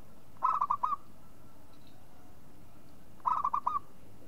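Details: Local zebra dove calling: two short phrases of rolling coos nearly three seconds apart, each a quick series of four or five pulsed notes, heard fairly quietly over steady low background noise.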